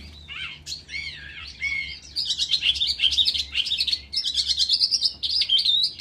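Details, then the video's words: At Dzhurbay, in a ravine, a lark pours out a fast, high, continuous warble of rolling trills and chirps that grows denser and brighter after the first two seconds. "песня жаворонка"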